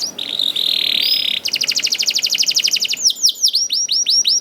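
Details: Young canary singing to encourage other canaries, a level buzzy note, then a very fast even trill, ending in a few looping downward whistles.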